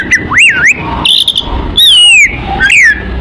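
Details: Oriental magpie-robin song, used as a kacer lure to attract birds: a few loud whistled notes, one arching up then falling, another long descending slur, separated by short gaps, with low rumbling noise beneath.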